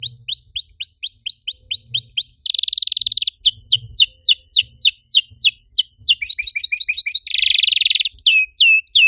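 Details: Canary song as a lure for other canaries: rising whistled notes in a steady series, dense buzzing rattles, falling sweeps and a quick double-noted trill, varied throughout.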